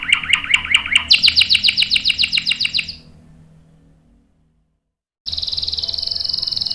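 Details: Singing canary, rolling song meant to lure and tutor other canaries: repeated swooping trilled notes that climb higher and speed up, fade into a brief silence, then a dense high rattling roll resumes.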